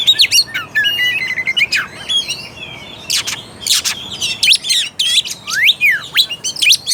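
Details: Oriental magpie-robin song played to provoke a quiet, non-fighting bird into singing: rapid warbled whistles, loud rasping bursts and falling slurred notes in irregular, busy phrases.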